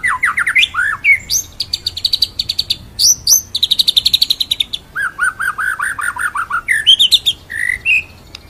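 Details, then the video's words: Murai batu, the white-rumped shama, in full ngerol nembak song: rising whistled phrases alternate with rapid buzzy rattles and a run of eight looping descending whistles, varied and loud throughout. "MASTERAN MURAI BATU FULL NGEROL NEMBAK"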